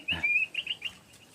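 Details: Caged Stripe-throated Bulbul, newly caught and obtained only the day before, singing after just one day: a bright, liquid phrase of slurred whistled notes, a long sweeping note followed by three shorter bubbly ones, close and clear.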